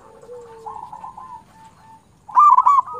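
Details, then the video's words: Local zebra dove (perkutut) in lively song, played as a lure to attract and stimulate other zebra doves. Soft, drawn-out low coos carry through most of the clip, then a louder, rolling burbled coo bursts out near the end. "Perkutut lokal gacor Suara ini sangat disukai semua perkutut"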